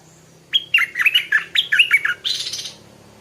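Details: A stripe-throated bulbul sings at dawn, giving a two-second string of clear, jumpy whistled notes that skip up and down in quick succession, then end in a buzzy, scratchy flourish. A soft low hum sits in the background.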